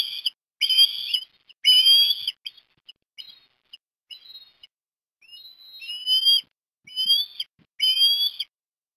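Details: Osprey at Port Lincoln, Australia, 17 December 2021, while a chick gets fish at breakfast; two strong whistled calls, a stretch of soft short chips, then three more loud rising piping calls.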